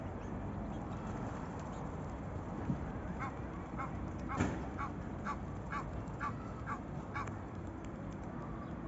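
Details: Egyptian geese on the Manzanares river in Spain call to each other in a run of harsh, nasal honks, about two a second, over a steady low rumble of water and background noise.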